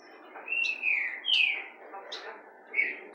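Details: Young, tame black-throated grosbeak loose indoors, already singing, giving three or four thin, slurred whistles, each falling in pitch, spaced about a second apart, with faint indoor background noise.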